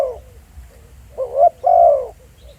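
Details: Spotted dove acting as a decoy, recorded live in the field: one low, mellow cooing phrase, a short rising coo followed by a longer, smoothly falling coo, with faint quiet notes before and after.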